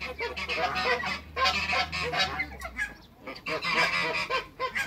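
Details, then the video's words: Three backyard African geese, two male and one female, call in softer, hoarse honks and chatter over a steady low hum. "TWO MALE ONE FEMALE AFRICAN GEESE AFTER THE CREATE WATERBIRDS IN THE BACKYARD"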